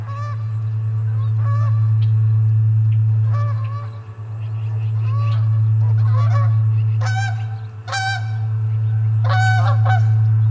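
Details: Ospreys at the Charlo osprey nest on 29 August 2021. Several loud, harsh, stacked calls come in bursts near the end. Fainter thin whistled notes come earlier. A steady low electrical hum runs throughout.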